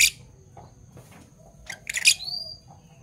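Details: Pet Fischer's lovebirds, parblue violet and parblue turquoise birds, calling in the morning with a cluster of harsh, clipped chirps followed by a thin rising squeak, against low constant background hum.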